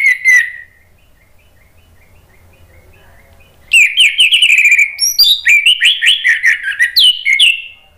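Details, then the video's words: Orange-headed thrush in vigorous, full-voiced 'ngeplong' style song, used as a prompt for birds that have stopped singing. A brief whistled note, near silence, then a rich stream of slurred whistles and chattering warbled phrases running to the end. "ANIS MERAH GACOR MEMANCING EMOSI JADI NYAUT BUNYI NGEPLONG GACOR"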